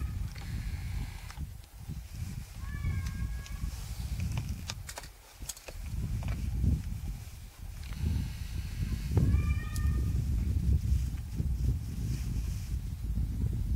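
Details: Sclater's monal, a Himalayan pheasant also called crestless monal: two loud, rich, nasal calls of short note series roughly six seconds apart, the second opening with a sharp upward sweep, over heavy low rumbling noise and scattered clicks.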